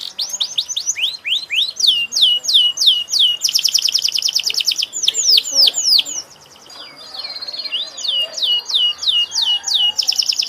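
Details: Singing canary delivering rows of bright descending whistled notes alternating with fast, dense rattling trills, a brief quieter steady tone mid-phrase, then trills resuming to the end.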